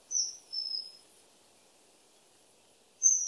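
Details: Shrill, high-pitched whistles of a common kingfisher: a sharp opening note, then a drawn-out thin whistle, and after a quiet gap a last strong piercing note, with gentle background noise.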